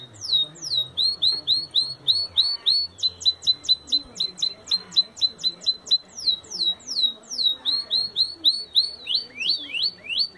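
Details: Belgian canary in full song: loud, rapid series of high whistled notes sweeping downward, repeated in rhythmic trills, with brief changes of pace and a few rising slurs near the end; faint low background hum.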